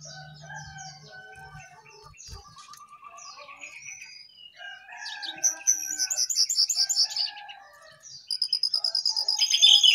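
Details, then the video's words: Jongkangan singing vigorously while perched on top of its cage: a varied, jumbled run of short whistles and chirps that grows louder and busier, ending in fast repeated high notes, with a low hum early on. "Jongkangan Gacor Di atas Sangkar"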